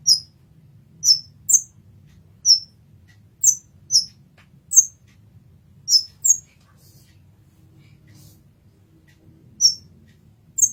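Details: Olive-backed sunbird (kolibri ninja), a masteran recording: sharp, high, slurred chirps, each a quick down-sweeping note, given singly or in pairs at irregular gaps about once a second, over a faint low hum.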